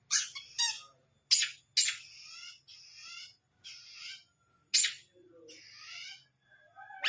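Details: Captive long-tailed shrike singing a fast, mimicry-filled song meant to tutor contest birds: loud rasping, scratchy bursts in quick succession with brief pauses, then a few softer warbled notes.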